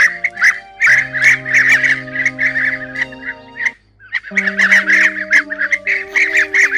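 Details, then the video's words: Blue-tailed bee-eaters give flock-gathering calls used to call the flock to roost or to feed: rolling, burry trilled calls in quick overlapping bursts, about two a second, over steady low droning tones like background music. "Tiếng Chim Trảu Đuôi Xanh"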